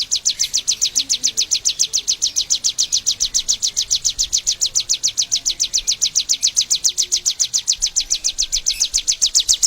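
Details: Indonesian endemic Bar-winged prinia repeating quick, high, descending chirps in a rhythmic chain, several each second, holding the same pace from start to finish.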